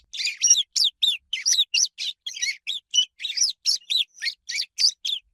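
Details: Spring swallow twitter, a steady stream of sharp, high chirps and slurred notes repeated several times a second.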